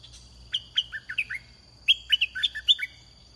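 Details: Two rapid red-whiskered bulbul phrases heard while luring birds with a caged decoy, each a lively chain of about six to eight whistled notes bouncing between high and lower pitches, against a steady high-pitched hum.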